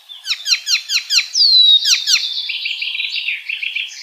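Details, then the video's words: Wild icterine warbler song: six quick, high downslurred notes, a long clear descending whistle, then a busy, scratchy chattering jumble; no other sounds. "Gacornya burung icterine warbler"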